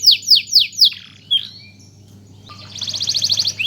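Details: Canary used as a song tutor for young birds: four loud downslurred whistles, about two per second, a short rising note, then a quiet gap and a rapid rattling trill. A low hum runs throughout.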